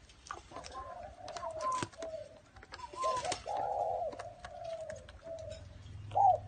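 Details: Spotted dove in a small garden giving low, soft cooing phrases, several hollow coos run together, with faint clicks and background noise.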